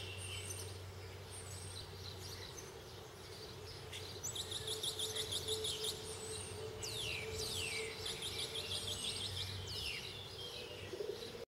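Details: Spotless starling at Fortanete, Spain, in June 2017, giving a varied run of loud down-slurred whistles, buzzy rattles and high chatter over a steady low hum.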